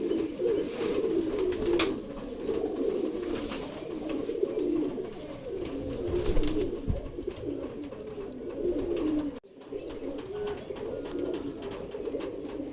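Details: Kashmiri pigeons in breeding condition give continuous low, throaty cooing that rises and falls in waves. The sound is unbroken except for a brief silent gap near nine seconds, with faint room noise underneath.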